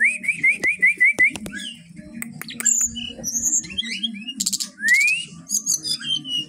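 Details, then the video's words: Caged brown-chested jungle flycatcher, an original Bali bird, singing energetically at a bird kiosk: a quick run of seven rising whistled slurs, then varied high twittering notes and a long upward-sweeping whistle, over a low steady hum. "Burung SRDC ori Bali gacor dor"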